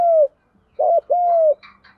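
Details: Spotted dove challenge coo, 'gù đấu', meant to stimulate new doves. Mellow, low coos: a long falling note, a pause, then a short burst and another long drawn-out coo. A faint rustle follows.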